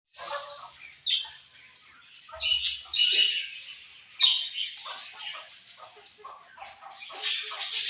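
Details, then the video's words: Several colorful budgerigars chirping, with scattered high, scratchy chirps and short warbles separated by brief quiet gaps. "Colorful Charming Budgies Chirping Sounds"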